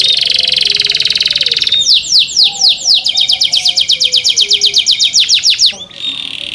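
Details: Kept canary singing to draw other canaries into song: a fast, dense buzzing roll, then a series of rapid downward-sweeping whistled notes repeated several times a second, ending in another buzzy trill.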